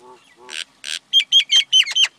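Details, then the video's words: Common myna calling: a few low, throaty gurgles, then two harsh rasping bursts, followed by a quick run of sharp clicking notes, each topped by a clear high whistle, about five in under a second. "Common Myna Sound ! Common Myna Song ! Common Myna Call ! Common Myna Vocal ! Common Myna Voice"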